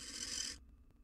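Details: Wild barn owl female accepting a mouse from her mate inside a nest box. A short, harsh hissing burst breaks off abruptly, leaving quiet room hum.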